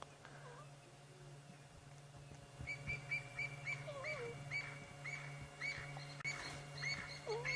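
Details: At sunset in the African bush, a francolin flushed from a bush gives sharp, harsh alarm notes almost twice a second as a lioness watches. Another bird's lower whistled, falling calls sound over a steady engine hum.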